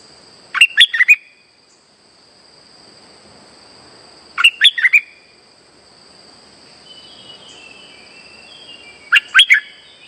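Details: Lively streak-eared bulbul song used as a trapping lure: quick bursts of four or five bubbly chirped notes, repeated about every four seconds with quiet gaps, over a constant faint high tone.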